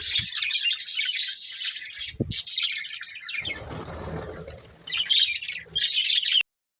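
Budgerigars chatter in a dense, high, scratchy stream of chirps and warbles.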